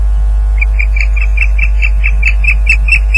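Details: At a Loch Garten nest on 30 April 2010, around 12:39pm, an Osprey calls during a fish delivery, picked up by a live nest camera: an even run of clipped, piping whistles, roughly two per second, with a constant low hum beneath.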